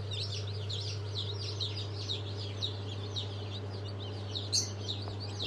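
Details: Newly hatched chicks of Sultan, Fizan and İspenç chickens, hatched 22.02.23, peep together in a dense chorus of short, high, downslurred cheeps over a steady low electrical hum.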